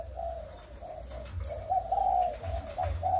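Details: Recorded 23 August 2021, breeding spotted doves of Malaysian and Thai origin give gentle coos that grow louder in the second half, ending on a drawn-out note, over low rumbling noise.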